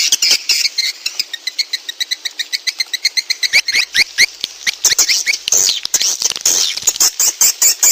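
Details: Swiftlets in a lure recording used to call swiftlets in: dense high, sharp chirps repeated rapidly at about two per second, with bursts of overlapping twittering later on.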